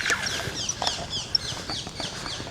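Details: Several Rose-ringed (ring-necked) Parakeets give harsh, shrill, down-slurred screeches in quick overlapping bursts, with faint background hiss; early morning in Bushy Park, London, second week of August during a heat wave.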